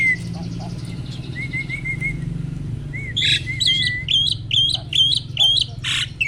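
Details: Male Asian pied starling, adult and ready to mate, in pumping display: a wavering whistled line, then a quick series of bright squeaky paired notes repeated about every half second over a low hum.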